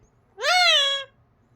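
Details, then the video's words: A parrot saying "bye": one drawn-out, rich harmonic note that rises briefly and then glides slowly downward, lasting about two-thirds of a second against a quiet background. "Bye bolta hai mithu"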